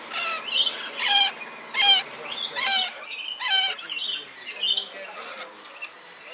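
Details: Coconut lorikeet (Trichoglossus haematodus), call.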